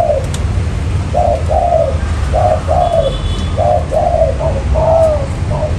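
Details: Cooing spotted dove used to lure wild doves into traps: paired coos, a short lead note and a longer descending one, repeated about once a second, with faint ticking and low rumble behind.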